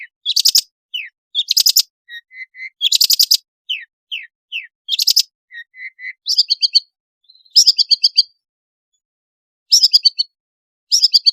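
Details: Long-tailed shrike in varied lure song for unwilling shrikes: grouped harsh buzzy bursts alternating with short whistled slurs and soft low double notes, later quick trilled phrases with pauses between.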